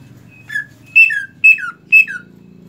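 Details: A captive greater green leafbird (Chloropsis sonnerati) sings, used as a training master song: four clear whistled phrases about every half second, each starting high and sliding down, over a faint low indoor hum.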